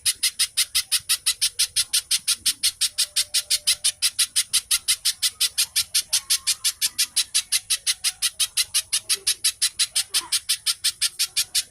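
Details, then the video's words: Little spiderhunter delivering a long, very regular run of piercing, buzzy high notes at about five per second, in the rapid tight style likened to tenke buto and used to prompt other birds to sing. "Burung pijantung/Cici codot gacor speed rapat suara mirip TENKE BUTO"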